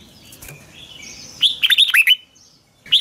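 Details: Red-whiskered bulbul giving its morning training song: after soft thin background twitters, a fast run of six or seven bright, slurred whistled notes, then a single note begins at the end.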